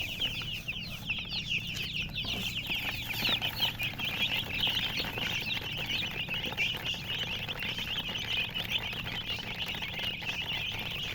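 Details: Chicks kept with a hen give a steady, crowded stream of thin, high peeps, many birds chirping at once in quick overlapping notes over a low background hum.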